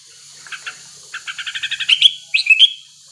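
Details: Wild male sooty-headed bulbul in breeding condition, played to provoke rivals into singing: soft paired notes build into a quick even run of clipped chirps, then loud bubbling slurred whistles close the phrase.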